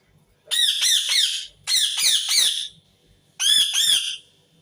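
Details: Indian ringneck parakeet screaming: three loud bursts of harsh, nasal, rising-falling squawks, each about a second long, separated by brief silences, close and dry.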